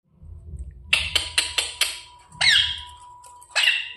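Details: Ringneck parrot chirping: a string of sharp, clicky, shrill chirps in quick succession, then two longer harsh screechy squawks, with a faint low hum behind.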